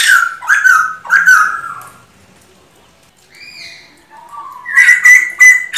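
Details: Male bồ chao, the black-throated laughingthrush, singing to excite a decoy bird: two loud falling, ringing notes, a long near-silent gap with a soft thin whistle, then a burst of bright, rapidly repeated notes.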